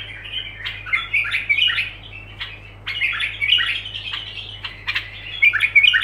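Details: Bulbul singing continuous, unbroken song phrases: bubbly, warbled notes rising and falling in quick bursts, with short pauses between phrases and a steady low hum underneath.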